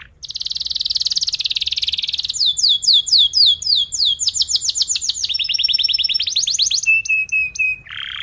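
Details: Canary song played to teach young canaries, with long tight rolls of rapid trilled notes, then shifting series of descending sweeps and high buzzy trills, ending on a lower nasal note.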